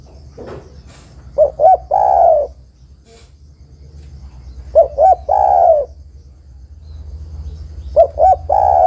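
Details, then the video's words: Female spotted dove calling the male. Three phrases come about three seconds apart, each two short coos leading into a longer, buzzy, descending coo. A faint chirp is heard near the start. "TEKUKUR BETINA MEMANGGIL JANTAN"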